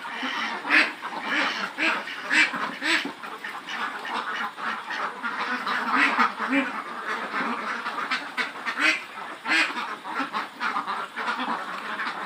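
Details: Farm flock of some 400 Khaki Campbell ducks, more than 110 days old, in Muktagachha, Mymensingh, giving a long, busy chorus of harsh quacks that rise and fall in volume, with individual loud bursts punctuating the din.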